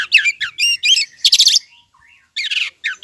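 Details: An oriental magpie-robin (kacer daput) sings loud rich phrases of harsh squawks and clear whistles in quick bursts with brief pauses, played as a lure to provoke other magpie-robins to answer.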